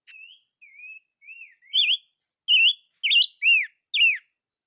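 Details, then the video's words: Silver-eared mesia singing a rising sequence: three soft, drawn-out whistles, then five louder, bright slurred whistles, each dipping and rising, about two per second. "Chim Ngũ Sắc Hót - tiếng chim ngũ sắc hót"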